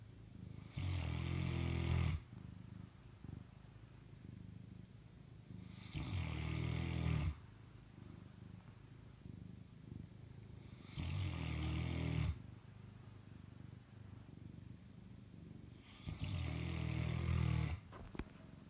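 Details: A pet Fila Brasileiro snores through the night on the bed, in deep, rumbling breaths about every five seconds.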